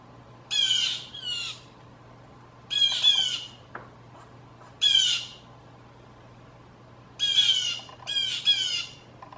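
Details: Blue jays in a backyard giving loud group false alarm calls that startle gray squirrels and draw people out for peanuts; harsh, buzzy jeers in bursts of one or two, about five bursts over nine seconds, low hum behind.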